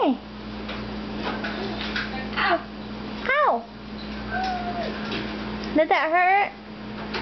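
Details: A pet red-fronted macaw, talking away and having fun while standing on a cage, gives two loud, hoarse, wavering bursts of speech-like chatter, with softer vocal sounds between them over a steady indoor hum.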